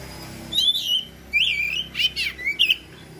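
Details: Oriental magpie-robin in gacor style with varied imitated phrases: a series of short slurred whistles and harsher sweeping notes in quick succession over steady background hum.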